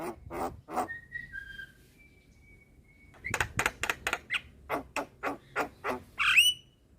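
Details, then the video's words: Captive black-winged myna, white-eyed and nodding, singing for cage-bird training: a few harsh notes, then long thin level whistles, followed by a steady series of dry clicking chucks about twice a second and a squeaky ending. "Jalak Kebo gacor Suara Asli / Masteran Jalak Kebo Mata Putih / Masteran Jalak Kebo Manggut2"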